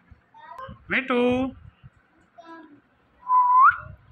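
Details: Indian ringneck parakeet talking, repeating "Mitthu": a short harmonic, voice-like word around one second in, soft murmurs, then a clear rising whistle near the end.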